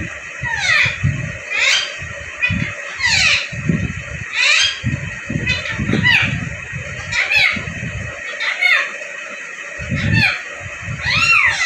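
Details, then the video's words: A pet ringneck (rose-ringed parakeet) in happy mode in Vehari, Punjab, Pakistan chatters in shrill, arching squawks and speech-like talking phrases, roughly one each second, over low murmuring voices in a small room. "Ring Neck Force to Raw Parrot For Talking"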